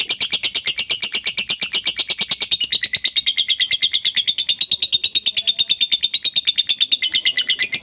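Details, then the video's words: Lovebird chatter used to stimulate other lovebirds into singing: a long, fast, even run of high rasping notes, about three per second, with a steady buzzy trill throughout and a slight shift in tone midway. "suara Lovebird ini Joss buat pancingan Lovebirdmu agar cepat ngekek , pastinya jadi rajin bunyi"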